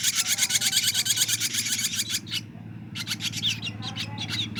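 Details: A 23-day-old ashy drongo chick gives fast, harsh rasping notes, about three per second, then breaks off for a moment before a looser run of scratchy chirps.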